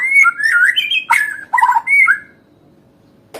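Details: White-rumped shama song played to provoke an emotional response from a bird that has stopped singing: loud varied whistled phrases with rising and falling slurs and harsh chattering notes for about two seconds, then quiet, ending with a faint click.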